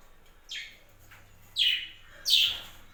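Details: Three bright, downward-slurred chirps from captive budgerigars, growing louder, the last two close together, over a soft background hum.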